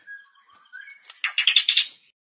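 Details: Murai, the White-rumped shama, singing as a lure for caged birds: soft sustained whistles fading into a burst of harsh, rapid rattling chatter.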